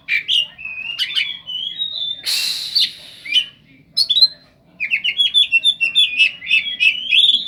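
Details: Oriental magpie-robin singing with mimicked cetdet phrases: sustained trilled whistles, a harsh noisy rasp, a pause, then a fast rattling series of short high notes that rise toward the end.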